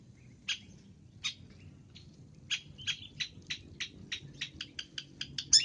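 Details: Long-tailed shrike (cendet), training recording in full isian gacor style: scattered rasping notes that accelerate into a rapid, tightening run of harsh chips toward the end, over a quiet low background.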